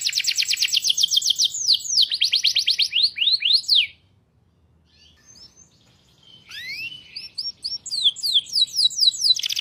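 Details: Canary song with fast rapid-fire fill: bursts of high trills and falling whistles, broken by a near-silent pause of about two seconds before the song resumes with quick slurred notes.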